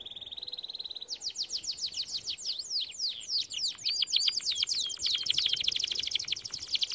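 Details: Canary song for training birds: a steady high buzzy tone, then a long run of fast repeated downward-sweeping whistles gathering into a dense, loud, rattling trill.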